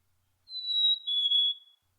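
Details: A Black-capped Chickadee, a year-round resident, whistles its clear two-note fee-bee song: a higher, steady first note, then a slightly lower second. Males sing it to impress females and show toughness to rivals. No other sounds intrude.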